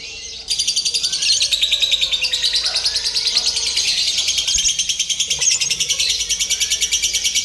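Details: Lovebird trained with a mock contest for a singing competition, delivering a long unbroken stream of shrill, fast-pulsed chattering notes after a brief quiet start, steady in loudness throughout.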